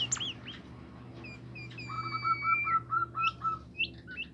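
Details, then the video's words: Bimoli bird song, meant to get other bimoli birds singing. Quick chirps lead into long, steady high whistles, then a run of short clear notes repeated about four times a second, over a low steady hum. "burung bimoli lain nya akan ikutan gacor"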